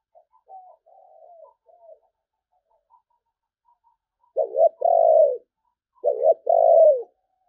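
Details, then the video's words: Spotted dove singing in the "sấm bầu" style: faint soft coos at first, then two loud phrases of a quick double coo followed by a longer falling coo, spaced about one and a half seconds apart. "Tiếng chim cu gáy chuẩn sấm bầu"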